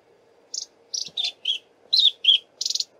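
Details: Shy Long-billed Crombec singing while foraging in very thick bush: a quick series of short high chirpy notes, some dropping in pitch, ending in a buzzy rattled note; faint low hum beneath.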